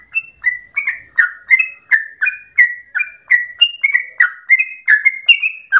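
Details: Yellow-vented bulbul pouring out a long rapid ropel song said to resemble a straw-headed bulbul: clear, evenly spaced warbled notes, each a short whistle slurring downward, about three a second.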